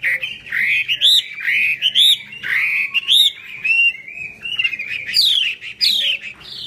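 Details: Hwamei singing with fanned tail and eagle-spread wings, loud rolling whistled phrases with rising loops and downward slurs, delivered in bursts separated by brief gaps.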